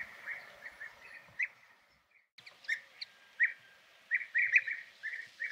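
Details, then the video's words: European bee-eater (Merops apiaster) giving short, liquid, rolling 'prruip' notes, repeated irregularly in loose bursts with brief pauses, against a quiet background. "Голоса птиц. Золотистая щурка (Merops apiaster)"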